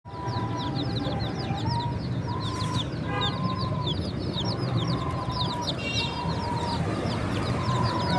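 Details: Baby chickens chirping: a dense flock of high, thin peeps sliding downward, overlapping constantly, with a steady lower whistle-like tone recurring every second or so and a low rumbling background.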